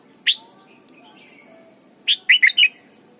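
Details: Red-whiskered bulbul from Thailand singing a training song for young birds: a single sharp chirp, then after a pause a quick run of three or four bright, warbled notes, with faint background hiss.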